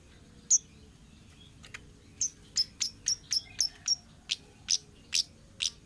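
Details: Orange-headed thrush from the wild, kept as a lure recording. After one lone high note, a tight run of sharp, piercing chirps follows, about three per second, then slower spaced notes.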